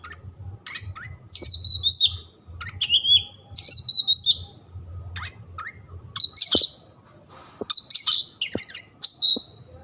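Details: Kept white-rumped shama singing repeated looping whistled phrases with wavering slurs, interspersed with harsh scratchy notes and a few sharp clicks, each phrase under a second long; faint low hum.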